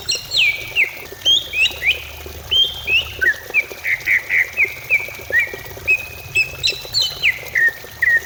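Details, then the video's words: Greater green leafbird song, used as a lure to make other leafbirds start singing: a steady run of short slurred whistles, many dropping in pitch, some rising, given in quick succession about twice a second over a faint low hum. "Pancingan cucak ijo supaya cepat bunyi ,, Terapi cucak ijo anti stres"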